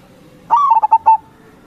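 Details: One cooing phrase from a lively local zebra dove kept to lure others: a clear rising opening note, then a quick stutter of four short coos that trails into a fading tone, against a quiet background.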